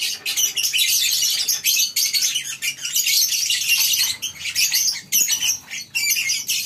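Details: Many lovebirds housed together in a colony aviary at morning, shrill chattering chirps pouring out in bursts, with several short lulls between surges.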